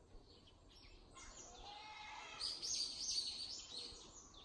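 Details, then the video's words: ['Early-summer birdsong from a home yard and village alleys: a dense run of high, rapid twittering chirps that swells in the second half, with unidentified singers and light background noise.'] "초여름에 자주 듣는 이름모를 새소리"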